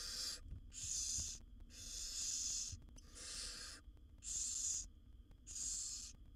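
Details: Barn owl chicks begging in a wild nest box as the mother brings food to her seven young; rasping, breathy hisses about a second long follow one another in a regular train, some overlapping, over faint camera hum.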